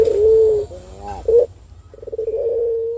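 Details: Cooing turtle dove used as a lure so other doves call back: a held steady coo, a short arched rising note, then another long, slightly wavering coo over a faint low hum.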